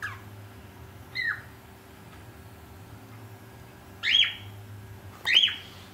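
A cockatiel gives short, sliding whistled notes, spaced a second or more apart, over a steady hum.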